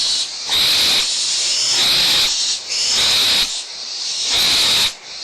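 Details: Barn owl owlets, Audubon Starr Ranch Sanctuary, 17 April 2011, bickering over a food remnant with the mother near: steady breathy rasping screeches in long swells, loudness sagging briefly every second or so.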